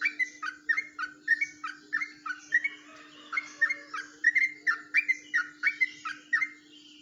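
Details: Yellow-vented bulbul, Jombang, singing the unusual ropelan way: a long, lively series of crisp bubbling notes repeated roughly every third of a second, barely pausing, above a constant low hum.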